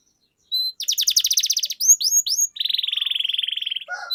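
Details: Canary rolling song used as a singing lure; starts with a thin note, a rapid pulsed trill, three upward sweeps, then a long even buzzy roll near 3k, ending with a lower chirp.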